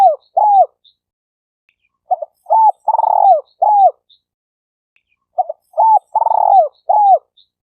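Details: Spotted dove cooing, used for luring birds: soft, low, hollow coos in phrases of four or five notes with a longer rolled middle note, the phrase repeating after about three seconds of silence.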